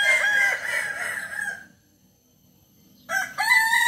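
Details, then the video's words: West Sumatran Kukuak Balenggek rooster, a breed whose crow climbs through at least 3 and up to 19 levels. A sustained wavering crow fades out. After a silence, a fresh crow begins abruptly. "Ayam kukuak balenggek"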